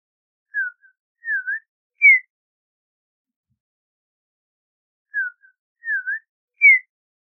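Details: Audubon's oriole repeating a short phrase twice: a soft falling whistle, a dipping two-part note, then a brighter, higher slurred whistle, separated by a few seconds of silence.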